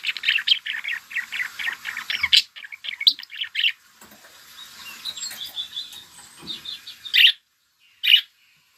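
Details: Pet budgerigars in July, during summer, chattering in a rapid, busy warble of short chirps for several seconds. The calls thin into softer twittering, then fall silent, broken by two loud, sharp chirps near the end.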